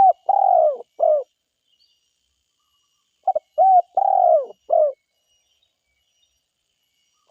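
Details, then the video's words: Spotted dove from the forest repeating its low, soft cooing phrase twice about three seconds apart, each a quick short note followed by a longer falling coo and a clipped ending coo, with silence between. "SUARA TEKUKUR DERKUKU GACOR HUTAN"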